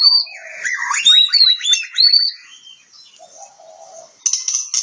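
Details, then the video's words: Kacer, the Oriental magpie-robin, recorded in Kebumen, Central Java: bright rising whistles and a quick rattling trill of repeated notes, then a short pause, a low hum, and a burst of high buzzy notes. "Suara burung kacer jawa tengah kebumen"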